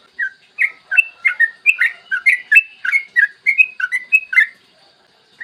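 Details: Yellow-vented bulbul song used as a lure to get other bulbuls singing, recorded in the morning: a quick, clear run of bubbly whistled notes, short warbled phrases rising and falling, about fifteen notes in four seconds, clean quiet background.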